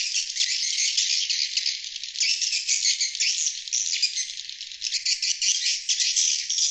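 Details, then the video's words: Continuous high, rattling chatter of swiftlets, used to attract wild birds, with fast buzzy twitters running without pause throughout. "Suara Panggil Sriti Luar"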